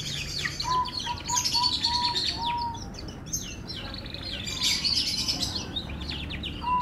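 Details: F1 canary singing melodiously: a rapid, varied run of high chirps, trills and sweeping notes, with a series of short, steady mid-pitched whistled notes early on and again at the end, over a low background hum.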